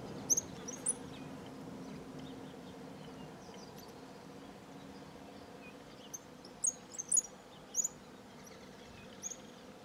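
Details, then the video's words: Small flock of cattle tyrants in the sertão of Bahia, Brazil, giving thin, very high chirps in scattered short bursts, clustered near the end, over steady low insect-like hum and rural background noise. "Suiriri Cavaleiro Cantando"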